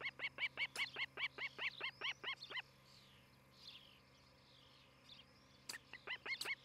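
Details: Osprey at a nest cam in Charlo, Montana, 11 July 2018, morning: a fast run of about fifteen sharp, down-hooked whistled chirps over two and a half seconds, a faint pause with distant bird notes, then another short burst.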